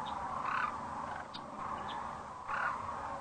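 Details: Sandhill cranes coming in for the night at Rowe Sanctuary, Gibbon, Nebraska, April 4, 2013, at sunset, crane cam; two louder rolling, bugling calls stand out about two seconds apart over a continuous flock chorus.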